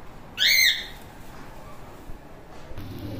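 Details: Cockatiel in a colony gives one loud, harsh screech that rises and falls, layered with strong overtones and lasting under half a second, then soft background hiss and a faint low rumble.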